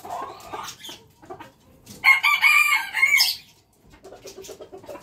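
A red junglefowl rooster gives one loud crow lasting about a second, a harsh, clipped phrase that ends abruptly. Softer clucking comes before and after.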